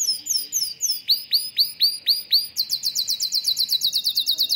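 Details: Bred canary singing high chirps, then a run of loud swooping downward notes, shifting into a fast, bright double-noted trill.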